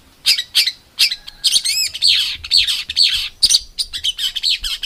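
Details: Competition songbird tutor song in rough 'tembakan' style: dense, harsh, buzzy notes in quick bursts, with a wavering tremolo phrase in the middle and loud scratchy chatter after.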